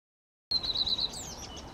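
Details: Common redstart singing: after a brief silence, a run of quick, even, high notes repeated on one pitch, ending in a sharper rising-and-falling flourish.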